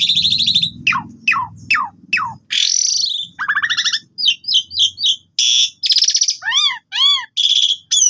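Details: Asian pied starling in full, varied song used as a training lure: harsh buzzy bursts, steep descending whistled sweeps repeated about four times, then quick clipped notes and arched whistles, with a faint low hum underneath.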